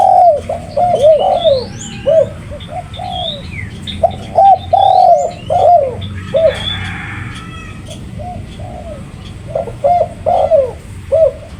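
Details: Spotted dove giving repeated low, hollow coos in irregular groups. Thin upslurred whistles and twitters from other birds sound early on, with a low background hum.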